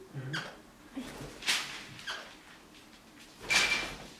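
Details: Crimson rosella protecting a sock, giving loud harsh screeching bursts, two strong ones about two seconds apart, with softer chattering notes between and a person speaking Spanish just before.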